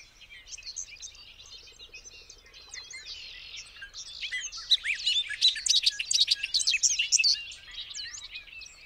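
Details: Soft buzzy background hum for about four seconds, then a Bobolink bursts into a loud, bubbling outpouring of rapid metallic, gurgling notes that fades away at the end.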